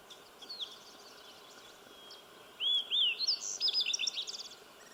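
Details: A Slate-colored Fox Sparrow along Sawmill Creek sings for several minutes: a bright phrase of slurred, rising whistles breaking into quick, burry warbled notes, with faint distant chirps before it over a soft outdoor hiss.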